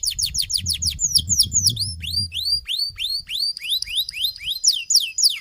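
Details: Canary in full song, rapid series of sweeping whistled notes, first falling then rising, delivered in quick regular bursts with a brief steady tone near the end; faint low rumble underneath during the first half.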